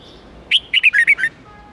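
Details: Red-whiskered bulbul song in the wild-standard 8-9-10 note style, played for training young birds: a sharp rising whistle, then five quick warbled, slurred notes, all ending within a second before quiet.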